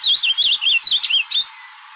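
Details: Ultramarine grosbeak singing in nature: a quick phrase of warbled, wavering whistled notes that rise and fall, about six linked elements in one and a half seconds, then quiet.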